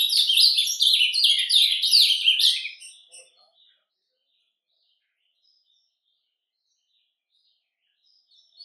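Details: A captive ultramarine grosbeak (azulão) sings its quiet, subdued surdina song, a soft, rapid warbling of high, chirping notes lasting about three seconds, followed by near silence.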